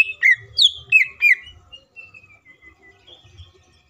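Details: Green leafbird, used as a lure to make other green leafbirds sing and get excited, giving loud whistled notes bending around the upper-middle range, four strong phrases in the first 1.5 seconds, then softer trailing whistles with faint low background rumble.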